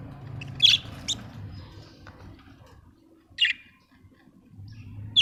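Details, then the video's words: Budgie from Australia uttering a few isolated sharp, scratchy chirps spaced a second or more apart, against a constant low rumbling hum. "Budgie chirping sound"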